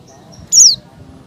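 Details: Female Oriental white-eye in breeding condition calling to draw males: a single sharp, high chirp sliding steeply downward, brief against quiet background hum.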